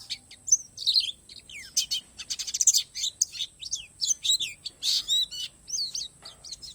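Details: Borneo 'palas' Oriental white-eye giving an 'isian alam' song: a dense, busy jumble of very high chirps, sharp buzzy bursts and short whistled slurs in quick irregular succession, with no other sounds intruding.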